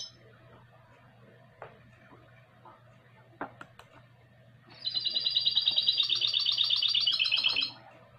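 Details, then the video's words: Goldfinch × canary hybrid singing. A few isolated chirps and taps come first, then a sustained, fast, ringing trill of high pulses lasts about three seconds before fading out, over a faint low hum. "MIXTO CLASSICO EL OBRIGADO"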